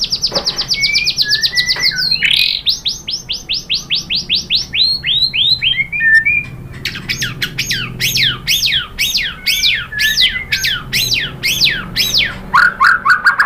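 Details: White-rumped shama lure song meant to make other shamas answer; long streams of rapid falling notes, then a rhythmic run of loud up-and-down sweeps about twice a second, ending in lower whistles.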